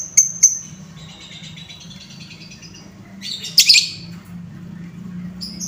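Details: Lovebird calls used as a lure to excite lovebirds: two sharp high notes open, a thin fading chatter follows, then one loud, harsh shrill burst, with faint humming throughout.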